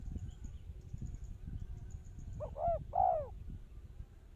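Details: Lure spotted dove used for trapping gives a short phrase of three mellow coos, the final one longest and loudest, over steady low rumbling noise after a quiet stretch.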